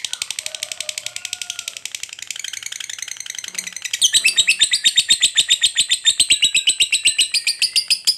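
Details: Lovebird's ngekek panjang, sung to provoke other lovebirds: quieter, fuzzy high chatter with faint lower whistles, then at four seconds a louder, fast, evenly beating shrill trill that continues to the end.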